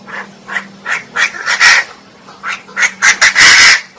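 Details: Female Chinese francolin giving loud, harsh, irregular notes, some short and some drawn out and strained, in two uneven bursts separated by a short gap, over a low steady hum.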